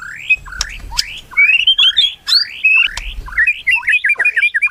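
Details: White-rumped shama singing melodiously: loud, clear whistled phrases, sliding and rising notes mixed with sharp high chips, delivered in quick varied bursts with brief pauses.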